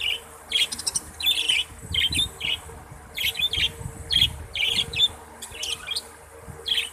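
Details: Kept budgerigars giving a steady run of short, bright chirps about every half second, some squeaky and rising, others scratchy, in a busy but regular pattern with faint low rumble behind.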